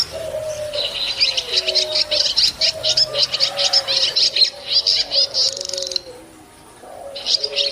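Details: Swiftlets calling in a village: busy bursts of high, rapid chirping twitters over a repeated lower, gently falling whistle. There is a brief lull near the end before the chirping resumes.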